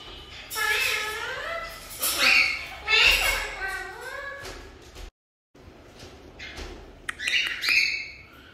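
An African grey parrot chatters in high, speech-like phrases with rising and falling tones, then breaks off and ends with a brief squawk and whistle.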